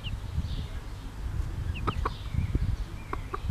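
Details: Bobtail-coloured Pekin bantam mother hen with her chicks: a few short, low clucks spaced in pairs, with faint high chick peeps over steady low background rumble.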